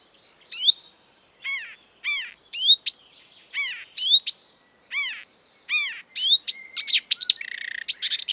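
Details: Marsh warbler, a gifted mimic of European and African species, singing arched nasal calls and clear swooping whistles, finishing in a fast buzzy chatter.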